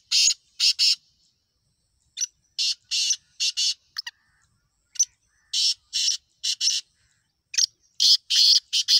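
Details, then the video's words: Black francolin giving repeated harsh, scratchy phrases. Each phrase has three or four rasping notes in quick succession, and the phrases recur every couple of seconds, with faint short notes between them. No other sounds are evident. "Black Laka Partridge Of the voice/Kala Teetar Lakha ki Awaaz/Kala Teetar ki Awaaz /کالے تیتر کی آواز"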